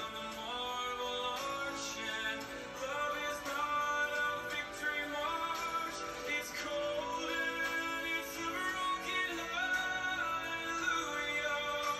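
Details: Steady music with layered sung or synthesized vocal lines plays throughout. No animal sounds stand out.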